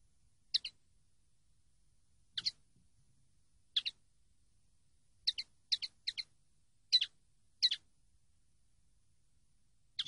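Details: Training-CD recording of common linnet song. Short, sharp, high notes mostly come in quick pairs, about ten bursts spread unevenly over ten seconds, in a quiet, clean background.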